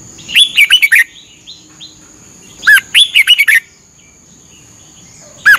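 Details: Thai caged Red-whiskered bulbul training song, used every morning to teach birds: bright warbling phrases of five or six fast whistled notes, the second starting about two seconds after the first, soft faint notes between, a steady high-pitched whine behind.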